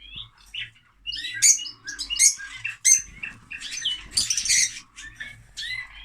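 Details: Noisy lovebirds giving a dense stream of shrill, high chirps and harsh squawks in uneven bursts, with a brief loud peak near the middle and a faint low hum underneath.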